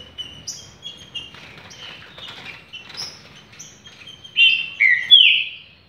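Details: Green-winged saltator, a champion singer noted for vigour and speed, gives soft distant-sounding whistles at first, then three loud, rich slurred whistled phrases close together at the end.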